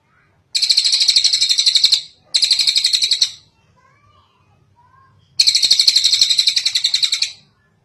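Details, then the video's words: Kingfisher call used as a tutor recording for other birds: three bursts of fast, high, buzzy trilled notes, each lasting one to two seconds, with a short gap after the second burst and a few faint low notes in the quiet interval. "Suara Burung tengek cililin panjang"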